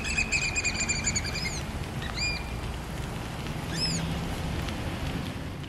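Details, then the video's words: Black oystercatchers recorded at Porteau Cove, February 14, 2013, giving a quick burst of shrill whistled piping notes that fades out, followed by two separate sharp, down-slurred 'wheep' calls spaced well apart, with low steady background noise. "Black Oystercatchers"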